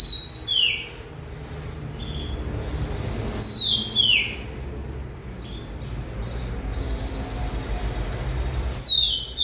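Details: Oriental magpie-robin singing: loud whistled notes sliding down, heard near the start, around four seconds and at the end, separated by long pauses over a low background rumble.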